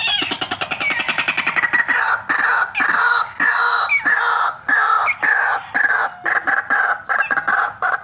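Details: Fighter white-breasted waterhen, called vocal and ready for luring, gives loud, ringing croaked phrases in repeated bursts roughly twice a second, beginning with a rapid rattling run.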